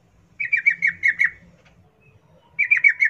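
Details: Sooty-headed bulbul singing wild-style 'ngalas ropel', played to prompt captive birds to sing: a quick run of about seven bright, slightly descending bubbly notes, a silent gap, then another similar run starting.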